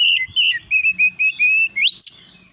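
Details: Oriental magpie-robin master song for provoking replies: steady, evenly spaced loud whistled notes held level, finishing with a rising slur and a sharp upward sweep.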